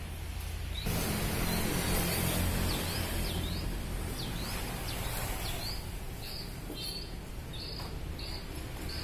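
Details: White-rumped shama singing: a run of sharp, high, V-shaped whistled notes, about four per second, followed by shorter clipped high notes, over a steady low hum in the background.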